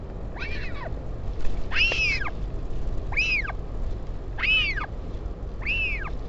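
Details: At Taiaroa Head near Dunedin, New Zealand, a northern royal albatross parent visits its chick on 16 July 2019. Five arched, wailing calls climb and drop in pitch at roughly one-second intervals against a constant low rumble of wind.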